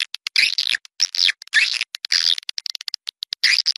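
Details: Swiftlets outdoors in Malaysia, used to attract them to nest indoors: bright, shrill chirping phrases of about half a second, sweeping and warbling, repeated with quick clicky notes between.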